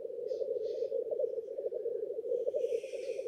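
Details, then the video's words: Male black grouse displaying at a lek, gathered at dawn on their territories to court females in spring or autumn, bubble without pause in low, dovelike rookooing, with brief hissing bursts near the start and end. "Black grouse lekking behaviour"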